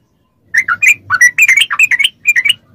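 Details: Yellow-vented bulbul delivering a short, rich phrase of warbling liquid notes, played to prompt caged bulbuls to respond; a low hum runs underneath.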